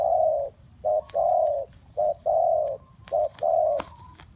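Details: Spotted dove cooing fast, used as a decoy for bird trapping: low, mellow coos in alternating short and long notes, a brief coo followed by a drawn-out one, repeated about every second, with faint clicks in the background.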